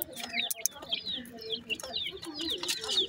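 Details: High, thin falling peeps from grey francolin chicks being fed, repeated several times a second with soft lower twittering beneath and a sharp click.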